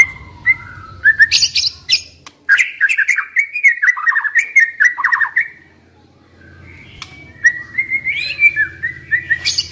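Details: Caged decoy white-rumped shama singing a long varied passage: harsh scratchy notes, then a rapid cascade of warbled slurs, a quiet pause, and renewed bright whistled phrases; low hum in the background.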